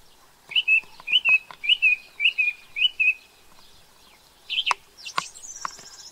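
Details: Introduced New Zealand song thrush: a bright two-note whistled phrase repeated five times in steady rhythm, followed by sharper, higher notes and a thin, buzzy trill.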